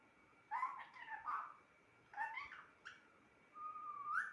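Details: A talking pet parrot utters two brief speech-like phrases with gliding, nasal tones, a short clipped note, then a drawn-out rising whistle-like sound at the end.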